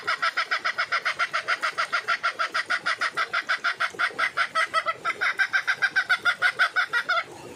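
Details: Red junglefowl hen calling for a mate: a loud, rapid run of harsh clucking notes, about three per second, steady throughout with a brief change in tone near the end.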